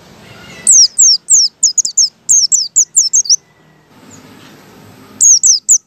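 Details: White-eye song, ngalas type, used to draw other white-eyes into singing: a brisk string of about a dozen high, downward-slurred whistled notes, a pause, then another quick high run.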